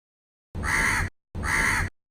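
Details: Crow calling live from a tree, two long, harsh, nasal caws about a quarter second apart, each raspy and even in loudness.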